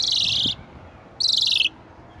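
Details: Asian pied starling (jalak suren) giving two loud bursts of harsh, high chirping, each about half a second long with a pause between, sharp and grating over a quiet background.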